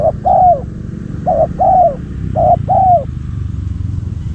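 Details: Spotted dove used as a decoy to lure wild doves: three paired coos, a short note followed by a longer, arched coo, repeated roughly every 1.2 seconds, over a steady low engine-like rumble.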